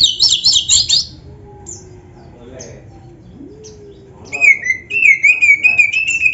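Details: Oriental magpie-robin 'gacor' song with an 'isian' fill, meant as training and a lure to draw replies from other magpie-robins. A trilled burst opens, then a quiet gap, then a steady run of warbled, wavering whistles.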